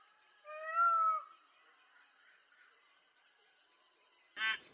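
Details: One loud, nasal peacock wail lasting under a second, rising slightly and then dropping away, followed by several seconds of near silence and a short harsh noisy burst near the end.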